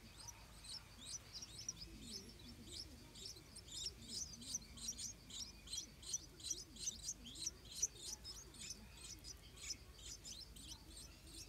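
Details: Stripe-throated bulbul parents defending their nest with hungry hatchlings; rapid, high, thin chirps pour out almost three per second for the whole stretch, with faint low murmuring underneath.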